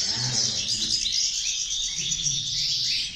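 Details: Chorus of several European goldfinches delivering bright, rapid twittering song without pause, high and liquid, with a soft low hum underneath.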